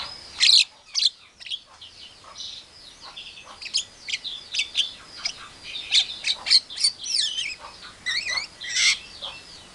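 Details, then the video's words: Javan myna mimicking other animals, including a hen calling chicks, an Asian pied starling and a hungry civet: sharp high clicks, squeaky whistles and short rising and falling chirps in irregular bursts, with a quieter spell near the start. "Suara jalak kebo pintar meniru suara Memanggil anak Ayam, suara jalak suren, suara musang lagi lapar"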